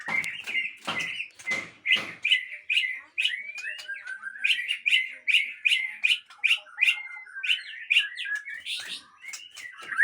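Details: Captive-bred Aceh white-rumped shama delivering a run of rapid repeated chattering notes with whistled slurs, some sharp clicks at the start, a lively irregular rhythm.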